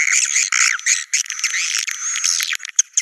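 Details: Swiftlets in a 'Naga Merah' call used to lure the birds to nests: thick bursts of shrill twittering with a sustained thin whistle running through, ending in a few sharp separate chirps.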